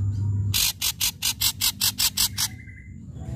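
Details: Ashy drongo in loud song, used to lure silent drongos: about nine harsh, rasping notes in an even series lasting two seconds, followed by a thin, level buzzy tone.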